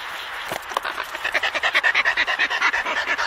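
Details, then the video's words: Antarctic petrels calling between a pair in a colony at Scullin Monolith, Antarctica: after a few scattered notes, a rhythmic series of harsh, cackling pulses repeats about three times a second, steady and evenly paced. "Antarctic Petrel / CU Calls Between A Pair In Colony"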